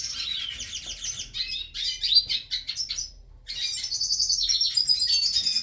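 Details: Several hooded siskins in a breeding aviary beginning to sing: high, fast twittering and trilled phrases with overlapping voices, a short pause, then a dense burst of sweet warbling and buzzy notes.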